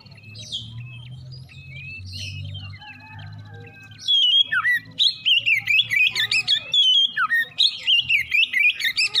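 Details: Oriental magpie-robin in morning song: sparse thin whistles and a low hum at first, then a dense burst of rapid, twisting whistled notes and chattering phrases in the second half.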